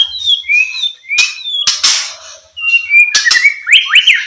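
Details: White-rumped shama song played to stimulate quiet shamas into singing: clear whistled phrases near mid-high pitch, sliding notes, interspersed with loud harsh broadband bursts and a final rising-falling whistled flourish.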